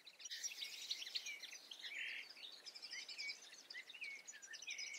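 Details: Eifel goldfinch pouring out a dense, tinkling twitter with a nasal drawn note near the middle and fast high chips throughout, sustained for five seconds with little other sound.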